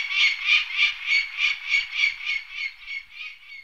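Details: Peregrine falcon giving a harsh, grating cackle: rough, buzzy notes repeated steadily about three times a second, slowly fading toward the end, with no other sounds.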